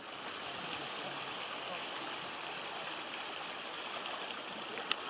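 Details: Constant rush of a flowing stream fills the recording, with one brief click near the end and no animal voice.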